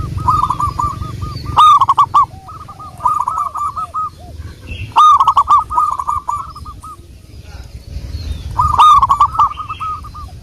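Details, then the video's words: Wild local zebra dove song used for luring. Repeated phrases of fast, bubbling arched coo notes, with loud, rough bursts every three to four seconds and softer trills answering between them. "Burung Perkutut Lokal | pancingan burung perkutut Lokal alam"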